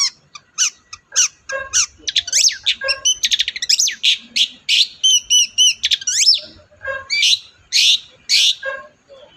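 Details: Long-tailed shrike in varied song, played to make a quiet shrike respond: a fast medley of scratchy chirps, squeaky whistles and buzzy notes with rapid trills mixed in.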